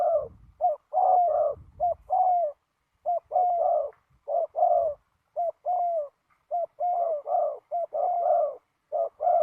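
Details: Spotted dove cooing during ground decoy trapping in strong wind: a long run of short and drawn-out hoarse coos in quick clusters, repeated steadily throughout.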